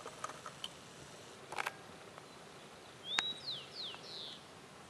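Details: Immature variable hawk giving a quick run of three or four high, thin, downslurred squealing notes, after some scattered clicks and taps.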